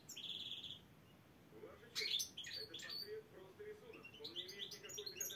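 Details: Black-headed European goldfinch singing at competition selection trials in Saint Petersburg: a sustained thin tone, then sharp twittering bursts and buzzy notes over a soft lower droning tone.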